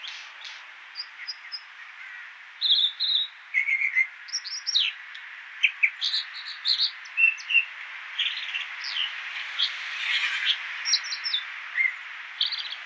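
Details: American dipper, also called water ouzel, singing a long varied song of high chirps, short whistled notes and quick trills in irregular bursts, over a steady hiss of rushing water or road noise.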